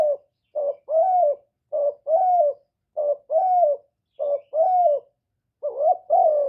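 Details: Spotted dove lure bird giving a mix of calling, urging and cooing phrases, recorded without background noise: five paired coos, a brief note then a longer falling one, repeated roughly every 1.2 seconds.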